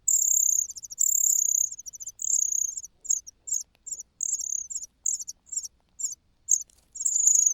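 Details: A young cuckoo begs insistently from hunger while the host's own chicks are full. Long shrill screeches give way to clipped, high chirps repeated every half second or so.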